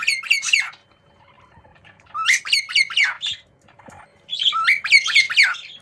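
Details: Juvenile cockatiels calling to each other while playing: three bursts of harsh, rapidly repeated rising squawks and chirps separated by brief pauses, in a quiet indoor setting.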